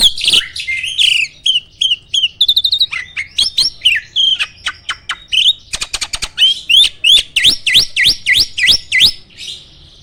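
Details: Indonesian kept starling in competition form delivering a loud, varied song: jumbled chatter, rapid clicking bursts, then a quick series of sharp downslurred whistles repeated several times a second, a loud shot style meant to provoke rival birds.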